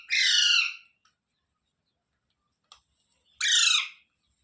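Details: Ringneck parrot, the rose-ringed parakeet, gives two loud, harsh squawks about three seconds apart. Each is a grating, buzzy burst lasting under a second, with near silence and a faint click between them.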